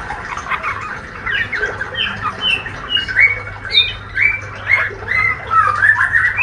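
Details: Young male white-rumped shama with speckled juvenile plumage, healthy and eager, giving ngriwik: bursts of chattering chirps and short slurred whistles coming in pulses about every half second, over a low hum.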